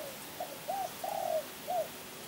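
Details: Champion spotted dove from Kebon Kacang gives one short cooing phrase: a brief note, a rising hooked coo, a long level swelling coo, then a final falling note, all mellow and low-mid pitched.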